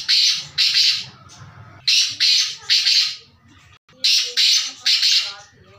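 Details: Black francolin (kala teetar) calling loudly in rasping, harsh notes grouped in twos and threes, with short pauses between bursts repeated across the recording; a faint low murmur lies underneath.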